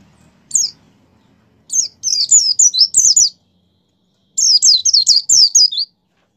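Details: Lively white-eye, offered as a prompt to get pet white-eyes singing: one high chirp, then two bursts of rapid, sharp, downslurred high notes run together in quick twittering phrases, with silence between.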